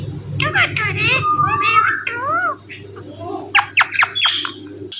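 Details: Pet Indian ringneck parrot talking, imitating human words including its own name: a run of wavering, speech-like harmonic syllables, a long level tone, then sharp high squawk-like bursts near the end over a low background hum.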